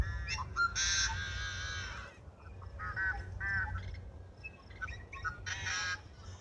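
Yellow-headed Blackbird giving harsh, nasal, buzzy calls in a few bursts over a steady low rumble of wind or background noise.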